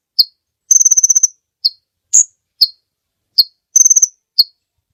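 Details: Kolibri ninja sunbird singing lively for use as a training track for other birds: sharp, high single chips alternating with two fast buzzy trills of about ten notes each, no other sounds.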